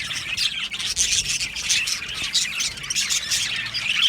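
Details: Australian budgie colony chattering steadily, a dense wash of shrill chirps and tweets repeated rapidly throughout, nothing else clearly heard.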